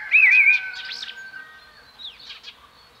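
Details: Common blackbird opening with a loud, rich warbling whistle that wavers up and down, followed by quieter looping high notes and scattered twitters from other birds.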